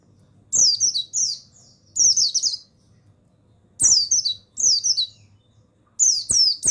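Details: Male mountain white-eye of the buxtoni form, recorded as a stimulus for other birds; paired bursts of shrill, fast descending chatter recurring every one to two seconds, with faint clicking noise.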